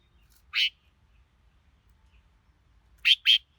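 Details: Two-part phrasing from a red-whiskered bulbul: a single strong, bright note, a pause of over two seconds, then a quick doubled note pair; background otherwise still.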